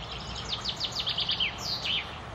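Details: A common chaffinch sings in May 2016 at the Akulovsky water works, Korolyov, a quick run of bright, descending notes that speeds up and ends in a short flourish, over a steady background hiss.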